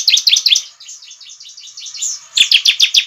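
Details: Bar-winged prinia, known as ciblek, lure song: bursts of rapid, evenly spaced high chirps at the start and end frame a softer, rolling twitter.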